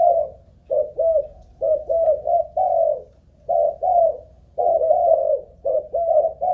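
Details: Kept decoy spotted dove, Malaysian strain, cooing during an endurance test: clustered short mellow hoots in uneven groups of two to three, with brief pauses between bursts, clean background.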